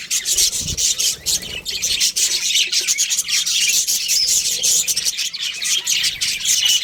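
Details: A budgerigar breeding pair keeps up nonstop high chatter: scratchy warbles, clicks and quick chirps layered densely, with a soft rubbing noise near the start.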